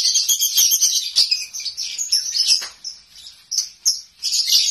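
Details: Home-kept lovebird singing konslet style: high, squeaky twittering phrases in irregular bursts with short dips between them.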